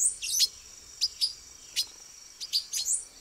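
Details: Sharp, metallic high chips from a male silver-beaked tanager concealed in branches, about seven notes spaced unevenly over a few seconds, opening with a short busy twitter; otherwise calm surroundings.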